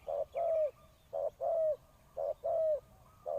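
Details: Decoy spotted dove calling to lure wild doves during ground trapping: low, soft hooting coos in repeated paired phrases, a short note followed by a longer, slightly falling one, roughly one phrase per second, with a quiet rural background.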